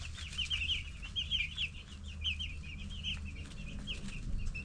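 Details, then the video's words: Many 10-day-old broiler chicks peeping nonstop: high, thin, slightly wavering cheeps that overlap in a busy chorus, with a constant low hum underneath. "10 Days Old Baby Chicks"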